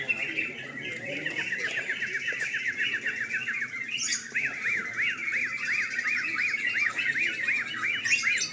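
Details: Sooty-headed bulbuls at a night-time singing contest: a dense chorus of repeated arched notes, each rising then falling, coming about four per second and growing clearer in the second half over a steady background hiss.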